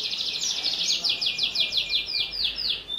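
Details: Singing canary kept as a lure to get young birds singing, delivering a steady series of rapid downward-slurred whistled notes, about four per second, over a continuous high trill, with light background hiss.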